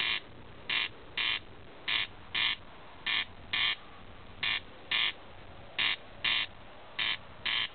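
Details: Corncrake on a summer night, 26 June, at Alastaipale, Ähtäri: its dry, rasping double note, crex-crex, repeated steadily about once every second and a half over faint background hiss.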